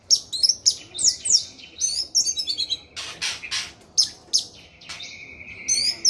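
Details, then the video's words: Sharp high chips and buzzy notes from an orange-headed thrush in gacor song, repeated rapidly at first, then a rasping passage and more scattered high notes. "Anis merah gacor teler"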